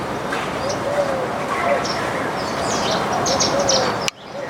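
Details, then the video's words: Baya weavers feeding on grains as a backyard flock give scattered high, sharp chirps and brief tweets over a constant hiss, with a few soft low whistled notes, before the sound cuts off abruptly. "Baya weavers sound"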